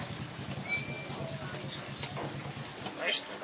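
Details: A talking crested myna mimics human speech, with phrases like "Praise the Lord" and "Salam", plus a few thin, high whistles over a steady low droning hum.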